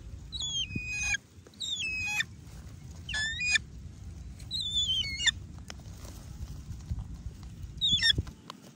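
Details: Hawk-eagle in hunting training, calling in shrill whistled bursts, each a quick string of notes falling in pitch, with five bursts over about eight seconds against steady low outdoor noise.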